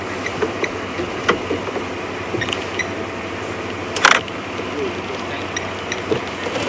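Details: A vehicle idles under scattered mechanical clicks and creaks, with one sharp burst near the middle and no animal calls.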